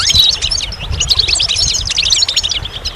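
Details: Goldfinch singing a dense, rapid stream of sharp high twittering notes, metallic chips and brief liquid trills packed closely together throughout, over a soft low background hum.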